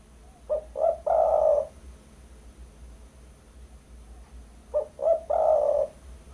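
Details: Spotted dove cooing, a recording meant for luring birds: two phrases about four seconds apart, each made of two quick short coos and a drawn-out, even coo, over a quiet background.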